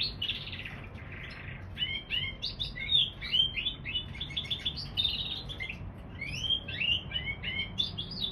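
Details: Canary-bullfinch hybrid pouring out a long varied song: a buzzy opening trill, then rapid chirps and slurred whistles repeated in quick bursts, with low hum in the background.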